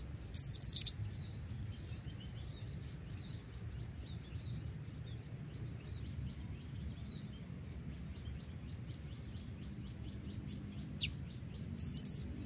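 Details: An eager female black-winged flycatcher-shrike summoning males, used as a lure: two brief bursts of shrill, high paired chirps, one at the start and one at the end, with a long quiet gap and faint distant birds between.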